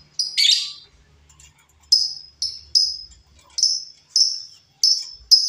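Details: High piercing chirps from a wild female lovebird, used as a lure, starting with a harsh double burst and then single sharp notes repeated at irregular intervals of about half a second.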